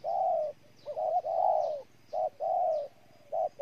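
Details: Low, hollow cooing of a spotted dove in Ninh Thuận, Vietnam: long sustained coos broken by brief clipped notes, a steady alternating pattern with quiet pauses between.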